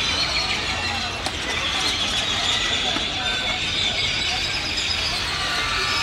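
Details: A dense, steady chorus of many grackles gathering at evening on the town square in Valle de Bravo, Mexico: shrill squeaks, whistles and rasping notes overlapping without pause, with faint town noise and voices underneath.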